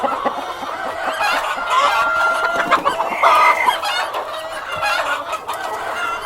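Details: Hens and a cockerel in steady chatter. Continuous layered clucks and short harmonic calls overlap throughout, with a brief drawn-out tone early on.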